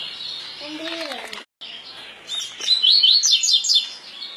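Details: Double-collared seedeater, or coleiro pardo, giving its 'tui tui' song type: a short run of rapid, high, slurred whistled notes rising and falling, preceded by a brief low voice-like sound and a moment of silence.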